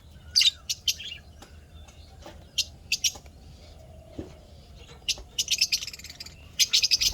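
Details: Happy lovebirds kept as pets, 12 May 2025, giving scattered sharp squeaky chirps, single and paired, then a rising flurry of rapid harsh twittering toward the end over a soft background hiss.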